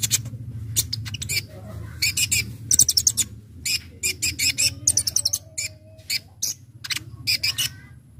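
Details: Brown-throated sunbird (konin) singing a full 'gacor ngobra' song with varied fills, used to lure birds: rapid bursts of sharp, very high chirps and short trills in clusters, over a steady low hum.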